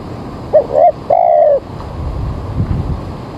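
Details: Spotted dove calling early in the morning at a bird-trapping site, with rain about to fall: three low, soft coos, two short then one longer drawn-out note, over a faint background hiss.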